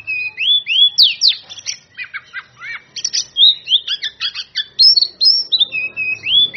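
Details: Oriental magpie-robin singing in full, loud ngeplong style to call out rivals: a fast, varied run of clear rising whistles and sharp chirps, roughly three to four notes a second, with short buzzy bursts between them.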